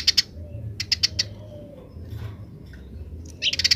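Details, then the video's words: Wild house sparrows chirping grece-style, wild birds replying. Pairs and short runs of bright, clipped chirps are separated by quiet gaps, ending in a rapid cluster of chirps, with a faint low hum underneath. "suara burung gereja liar grece"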